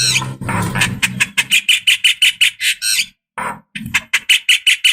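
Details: Javan myna calls used as a decoy to prompt other mynas to respond: after a muffled low noisy start, a fast run of harsh, squawky notes repeats about three times a second, broken by a short silence.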